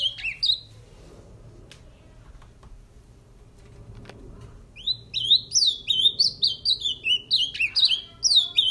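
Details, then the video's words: Male ultramarine grosbeak in captivity, singing after mating: one short whistled phrase, then a quiet pause with a few clicks, then a rapid burst of sharp, slurred whistles repeated about twice a second. "Azulão Maluco 🤪 do amigo Elson 🇺🇸 esse é máquina 🇧🇷"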